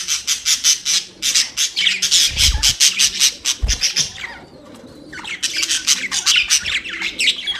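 Budgerigars chirp in a busy run of quick, scratchy, high squawks and warbles.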